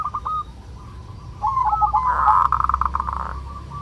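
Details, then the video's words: Zebra dove of local stock giving kerot song to raise breeding urge: scattered soft coos build into a rapid, throbbing rolled trill that then fades to quieter notes. "Suara perkutut lokal NGEROT"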